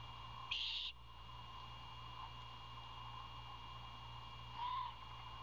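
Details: Young owl's dinner request to a parent delivering food; a loud, hissing screech opens, followed after about four seconds by a softer, briefer rasp, with a steady hum underneath.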